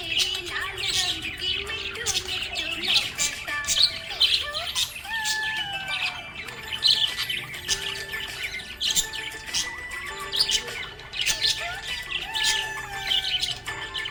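Budgerigars chatter in fast, bright chirps and squawks over a song with steady sustained notes.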